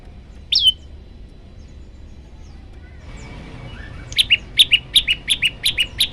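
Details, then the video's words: Master song of the olive-backed tailorbird for training birds. One sharp downslurred whistle, a quiet gap, then a fast stuttering series of paired high chips rising in loudness, roughly three per second. "masteran burung prenjak lumut variasi"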